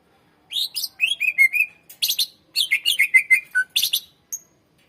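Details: Greater green leafbird, a loud full-song singer played to lure and train other birds: continuous rapid chirps, trills and whistled slurs in a varied, chattering sequence with short breaks.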